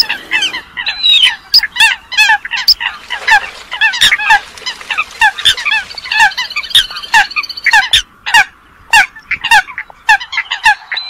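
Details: Lure recording of Eurasian coots used for trapping: rapid, crowded bursts of harsh nasal honks and clipped squawks from several overlapping callers, with brief gaps between flurries.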